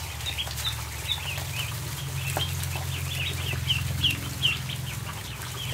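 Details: A crowd of ducklings on a barn floor at feeding time, peeping in quick, high, slightly downslurred notes about three per second, over a steady low hum and soft clicking.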